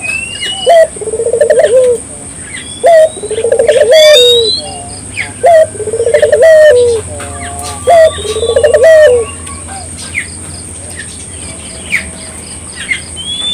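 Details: Barbary dove in lively singing meant to provoke local doves into song: four repeated phrases about every two to three seconds, each a short sharp note followed by a rolling pulsed coo and a falling tail. Small chirps and whistles from other birds and a constant high whine are also heard.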